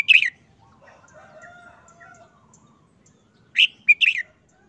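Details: Caged red-whiskered bulbul, looking listless after more than a month under a cloth cover during moult, giving a short, simple song phrase: bright warbled notes at the start, then a quick three-part burst near the end, with faint distant birdsong between.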